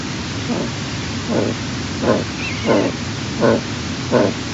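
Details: Eagle at its nest well before dawn, late April 2023, during incubation of two eggs, making quiet sounds: six low, soft calls, each under a second apart and growing slightly louder, over a steady hiss.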